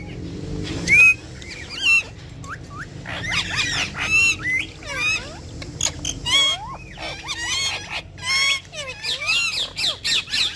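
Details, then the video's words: Urdu-talking ringneck parrots interacting with each other: dense bouts of squawky, warbling chatter, rising and falling whistled notes and clicks, in repeated bursts throughout. "Cute Urdu Speaking Ringneck Parrots || Ringneck Parrots Talking And Dancing With Each Other"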